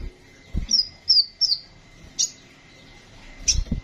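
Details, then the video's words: Sunbird, a caged songbird kept as a master tutor for training other birds, gives a series of thin, high chirps and short whistled slurs, with several soft low thumps in between. "Burung Kolibri Sepah Raja gacor cocok untuk masteran burung bahan"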